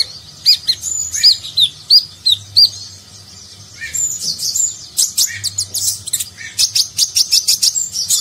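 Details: Purple-throated sunbird, locally konin, in energetic nagen-style song with rich fill, meant for training contest birds. Spaced high sharp notes, then a dense run of fast buzzy trills and chips.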